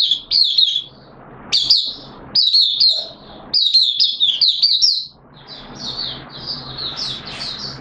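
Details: Caged oriental white-eye (Mata Puteh) opening into 'buka sing' song, 13 September 2022, second day of deworming: loud clusters of sharp, high twittered notes in several phrases, ending in a quieter, rambling run of thin chirps.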